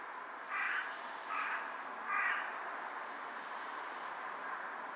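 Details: Carrion crow perched on a power line, bowing as it calls, recorded 18 July 2023: three harsh, hoarse caws spaced under a second apart over a steady background hiss.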